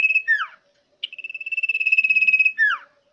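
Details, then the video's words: Common iora in loud, vigorous song: a high, steady trilled whistle lasting over a second, bracketed by clear downward-sliding whistles, in an otherwise quiet setting. "Cipoh Gacor Ngotot Volume Keras"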